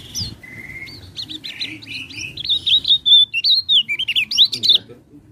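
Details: Lure recording of a common iora, meant to trigger singing in reluctant birds: a string of bright whistles, a long flat note, then quick rising and falling slurred notes in fast succession over a faint low hum.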